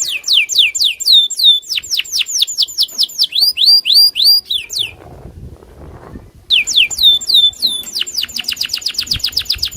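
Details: Raging loper canary challenging a rival, giving fast strings of descending whistled sweeps. The song stops for over a second of near silence, then returns with dense, high trilled notes.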